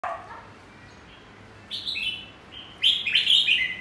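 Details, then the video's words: Caged red-whiskered bulbul, said to sing in two voices and continuously from morning to afternoon once its cage cover is removed: a faint low note opens, then bright, quick, warbled phrases come in two bursts, the second loudest. "Chào mào siêu mỏ- bao hót liên tục từ sáng đến chiều khi mở áo lồng"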